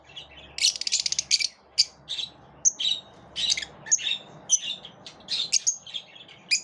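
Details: Group-living lovebirds repelling each other: an opening rapid rattling squawk, then a string of thin, piercing chirps and short whistled notes at irregular intervals.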